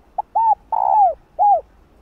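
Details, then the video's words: Female spotted dove calling to stimulate males: a soft clipped note, then an arched coo, a long drawn-out falling croo and a closing arched coo, delivered in about one and a half seconds. "Tiếng cu gáy Mái ,cu mái kích trống nghe là gáy 100%"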